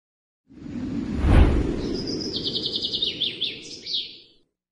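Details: A captive Black-headed sibia sings energetically while pumping its body, a fast run of about ten high, clear notes ending in a few sliding whistles, over steady low rumbling noise and a dull thump.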